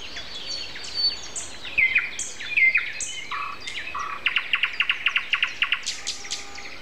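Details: Common nightingale in morning song at 7:55 on Sunday, April 29, among other birds: varied whistled and buzzy notes, then a fast, even series of about a dozen rapid repeated clicks and chirps near the end.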